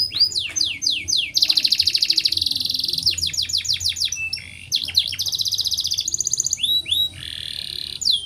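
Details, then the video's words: Canary in breeding condition pouring out a long continuous rolling song of fast downslurred notes, several rapid even trills and sharp chips, loud and high-pitched throughout, with faint low background hum. "KENARI NGEROL PANJANG PUL BIRAHI"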